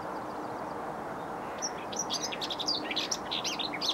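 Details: Whitethroat song recorded on an overcast April morning at 6.30am next to a Bedfordshire railway line, 27 April 2020: a rapid, scratchy jumble of high twittering notes over a constant dull roar of background noise.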